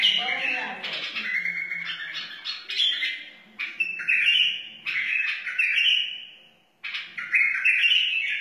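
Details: White-eared bulbul from the wild singing long rich warbled phrases with short silences between them; a brief low voice-like sound opens the recording.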